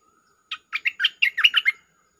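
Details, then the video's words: Lure song of a bulbul, a rapid run of eight or nine liquid, gurgling notes that rise and dip, closing on a slightly lower note, with a faint steady hum beneath. "Suara pikat merbah lekir gacor"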